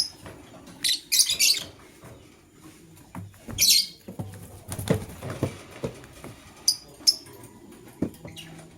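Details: Male lovebird choosing a partner, with bursts of strident high chirping early on, a loud squawky burst midway, then brief sharp chirps amid tapping and rustling.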